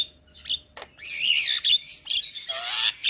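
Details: Javan myna, white-eyed form, singing energetically for a cage-bird tutor recording: drawn-out raspy, grating notes with a whistled sweep underneath.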